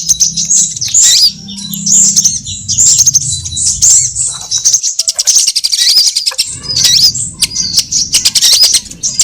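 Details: Lure recording of several kinds of sunbird used for trapping birds. Shrill, high twittering chirps sound in clusters, with fast buzzing tick-trills near the end and a soft low hum behind.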